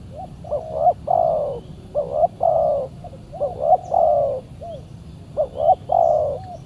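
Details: Spotted doves during Saturday decoy trapping as a fierce wild bird answers the decoy. Four coo phrases in a row, each a quick two-note lead-in followed by a sustained coo, against a low steady rumble.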